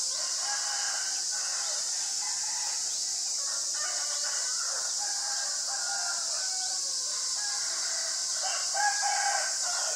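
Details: Common myna (Acridotheres tristis) in Ubon Ratchathani, Thailand, on March 20, 2022, recorded with a Nikon P1000: bursts of harsh, chattering and gurgling notes in irregular runs, under a loud steady high-pitched insect drone.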